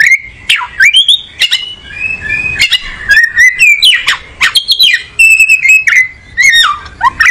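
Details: Oriental magpie-robin (kacer), a songbird, pouring out a varied song: clear whistles, steep downward slides, scratchy buzzes and clicking notes in quick succession across seven seconds.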